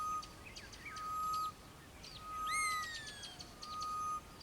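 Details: Grey-headed Bushshrike calling in morning bush near Kilifi, perched beside a Lizard Buzzard: long, level, mournful whistles, each over a second, given twice, with chirps and short trills of other birds behind.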